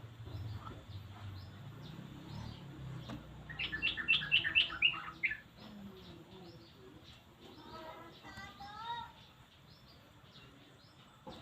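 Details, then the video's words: Yellow-vented bulbul lure calls meant to get silent birds to respond: a low rumble at first, then a dense burst of sharp, high chirps, and later a shorter string of lower chirping notes. "Pancingan Burung trucuk malas bunyi auto nyaut"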